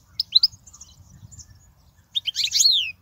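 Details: European goldfinch song, used for teaching young goldfinches: a short burst of bright high twittered notes, a pause with low background rumble, then a dense buzzy jumble of chirps ending in a descending slurred note.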